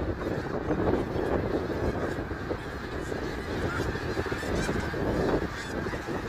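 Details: Snow geese at Middle Creek Wildlife Area on 3 March 2022: steady, thick honking from many birds at once, an even roar of nasal calls with no clear gaps.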